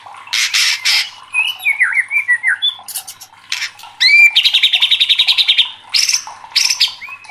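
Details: Agitated white-rumped shama singing loudly, mixing harsh squawk-like bursts, slurred descending whistles, a quick upward sweep and a sustained rapid rattle of evenly repeated notes, all high and energetic.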